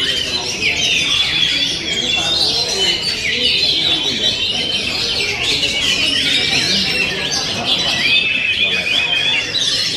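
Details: An oriental magpie-robin sings steadily, weaving high whistles, trills and twittering notes into a continuous flowing stream.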